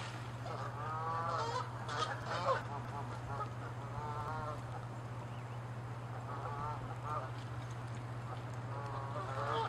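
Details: Canada geese in a territorial dispute, short clusters of rapid, stuttering nasal honks in the first half and again toward the end, separated by a quieter stretch with low background rumble.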